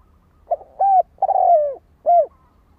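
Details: Low, mellow coos of a spotted dove in one four-part phrase. A quick note leads into a level coo, then a long descending coo and a short arched final note, with little background sound.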